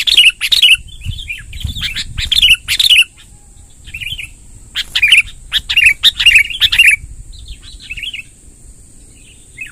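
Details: Sooty-headed bulbul delivering a long rolling song to gather wild bulbuls: loud clusters of bubbly, slurred chirps separated by short pauses, with some softer notes between, low rumbling background and a constant high whine.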